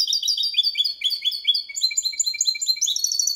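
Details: Malaga copy sung cleanly by a hybrid of goldfinch with canary, meant to stimulate singing in goldfinches and hybrids: rhythmic repeated bright notes in short rolls, ending in a faster, higher trill.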